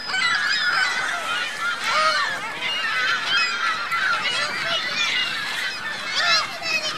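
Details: At a Reno lake, geese accompanied by goslings call together: nasal honking mixed with rising-and-falling high peeps, tightly packed and constant for the whole stretch.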